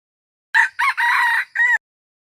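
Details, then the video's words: Red junglefowl, known locally as qaib qus, crowing once. A harsh four-part crow: two short opening bursts, a long strained middle note, and a clipped final syllable, with no background sound. "Suab lau qaib qus"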